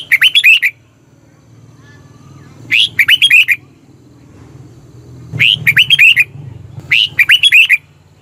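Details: Red-whiskered bulbul in Thailand, song used for luring or exciting birds. Four brisk, bouncing phrases of several chirpy notes each, every one to three seconds, over a constant low hum.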